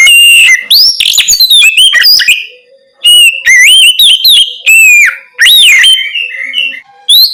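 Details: Oriental magpie-robin singing at night as a lure for other birds to answer; repeated bright whistles, upslurred and downslurred notes and buzzy bits in several bursts with short pauses.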